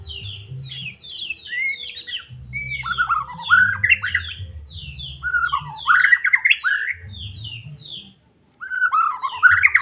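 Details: White-rumped shama from Medan, song used to stir a caged bird to sing; rich run of whistled, rising and falling phrases with rapid twittering notes, over a low background hum, brief pause near the end.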